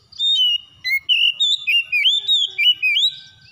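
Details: Magpie-robin song used as therapy to get a bird that has stopped singing to sing again: a lively run of clear whistled notes, sliding up and down, with short warbled flourishes and brief pauses, no other sounds.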